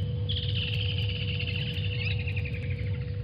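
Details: Water Thick-knees at Djuma waterhole on 28 November 2020, chasing away Vervet Monkeys: a long, high, piping series of whistled notes that gradually fall in pitch, over a steady low hum.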